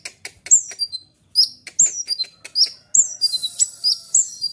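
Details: Fast magpie-robin song kept as a tutor recording for other birds: rapid clusters of high, sharp chirps and downward-slurred whistles in short bursts, ending with a buzzy rattling phrase.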